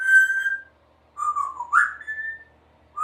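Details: Practising her sounds, a 3-year-old female Congo African grey parrot gives a steady whistled note, then after a pause a dipping whistle that jumps up into a longer, higher level whistle.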